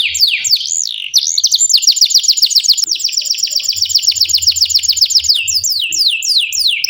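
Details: Canary delivering a long, unbroken training song: rapid rolling trills of repeated up-and-down notes, with looping whistled swoops at the start and end, loud and clear with no other sounds.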